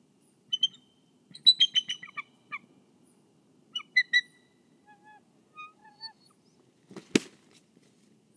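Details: Bald eagle at the Kisatchie National Forest nest, guarding the egg, heard through a nest cam: high piping chirps and quick chatter in bursts, softer single whistles after, and one sharp knock.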